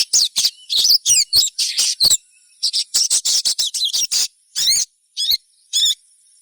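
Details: Sunbird known as sogon in an excited chirping run used as a lure to make others sing: rapid, high, buzzy notes tumbling together, then three separate rattly trills toward the end.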